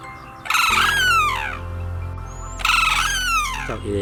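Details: A sarus crane, one of a pair feeding in a Thai rice field on a cool February morning, gives two loud, brassy, downward-sliding trumpeting warning calls about two seconds apart as another crane pair comes near, over a low hum.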